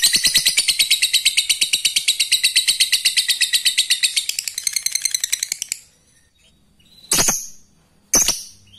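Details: Male lovebird calling a female, used as a lure: rapid shrill chattering notes repeated nearly three times a second for about six seconds, then a pause and two loud harsh squawks, recorded in a small room.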